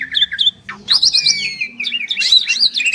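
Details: Two champion Asian pied starlings in a duet trade quick doubled chirps, a fast trill of sharp whistles and a long sliding whistle, then a scratchy warbling phrase.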